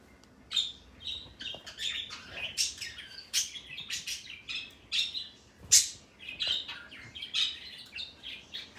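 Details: Pet parrot, male, keeps up a steady stream of quick, high chirps and scratchy squeaks, more than one a second, with one especially loud shriek in the middle.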